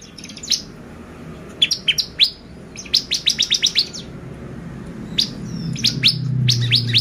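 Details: Bar-winged prinia lure song meant to excite birds: rapid series of sharp descending high chips in groups, with a low hum rising toward the end.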